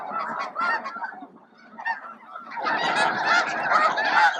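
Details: Snow geese feeding in a vast flock at Bosque del Apache around noon; scattered honks give way to a quieter spell, then the chorus swells into loud, dense honking for the final seconds.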